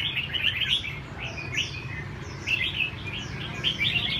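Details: Chào mào, red-whiskered bulbul, being trained to sing; short bursts of lively warbling notes with brief gaps between, then renewed phrases, over constant low rumbling background noise.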